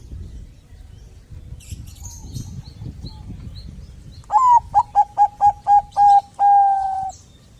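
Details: Bangkok zebra dove song meant to get other doves calling: after soft background twitters, a rising first coo, a quick run of six clipped coos and a long sustained closing note.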